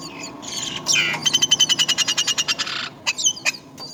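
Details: Myna at its nest while caring for young: a harsh squawk, then a rapid run of about a dozen grating, buzzy notes with thin high whistles mixed in, followed by a few scattered sharp calls over quiet background.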